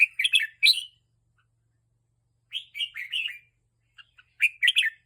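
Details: Excited caged red-whiskered bulbul, stirred up by teasing, gives short bursts of choppy, chattering chirps separated by pauses of about one to two seconds, three phrases in all.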